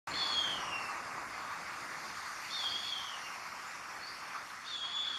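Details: Harpy eagle in Colombian forest: a thin, high whistled call drawn out and slightly falling, given three times about every two and a half seconds, over a steady hiss of insects and forest background.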